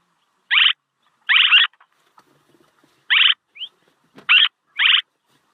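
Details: Lure recording of a swallow giving grating chirps, some doubled, separated by pauses of up to a second and a half, with one short rising squeak in between; no other sounds.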